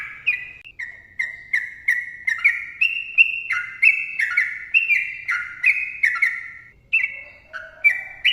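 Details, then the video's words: Sooty-headed bulbul in full, energetic long song, pouring out closely spaced whistled notes that step up and down in pitch, nearly continuous over eight seconds, with one lower slurred note near the end. "TRUCUKAN GACOR ROPEL PANJANG MBONANG SUARA RAPAT"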